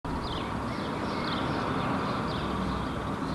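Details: Northern lapwing calling as it takes off after foraging in a park in Helsinki, Finland, in June 2016. Wheezy slurred notes rise then fall, repeated about once a second, under a loud constant roar of traffic.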